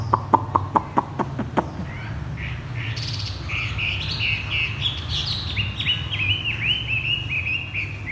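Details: Caged Chinese hwamei kept on the ground, singing in the 'thắt cổ chai' (bottleneck) style: after a run of sharp knocking clicks, clear whistled phrases rise and fall and slur quickly, repeated with short pauses.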